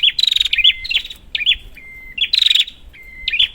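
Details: Prinia calling to coax silent birds: two rapid rattling bursts with hooked notes, each followed by a long flat whistle, over a soft low background hum.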